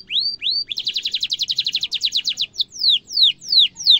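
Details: Canary song for training young canaries: two rising whistles, then a long rapid trill of repeated notes, followed by spaced descending slurred whistles.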